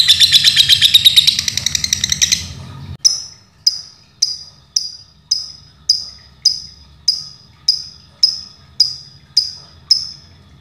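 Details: Lovebird in Pemalang, Central Java, Indonesia, starting with a fast buzzy chatter for about three seconds, then switching to sharp single high chirps repeated roughly every half second.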